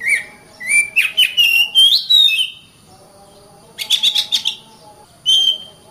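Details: Oriental magpie-robin (kacer) song: varied rising and falling whistled phrases in a lively burst, a short rest, then a fast chattering series and a final clear whistle.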